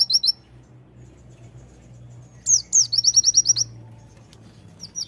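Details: Sunda white-eye of the konin type singing tembakan: a few brief high notes, then a burst of two sweeping whistles and a rapid run of sharp, thin chirps.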